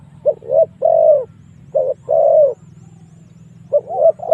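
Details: Spotted dove used to call in wild doves for fighting, uttering two-part coos, a quick short note then a long drawn-out one, over a steady low drone.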